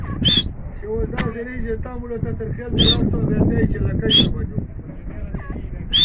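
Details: Grey francolin giving loud, harsh, ringing notes with a bright high peak, four spaced bursts roughly every one to two seconds, over a busy background of low murmuring voices and rumbling noise.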